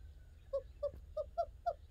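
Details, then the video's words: A Barred Owl gives an unusual vocalization: five short, hooting yelps in quick succession, about three a second, each slightly higher than the last, over a low background rumble. "barred owl unusual vocalization"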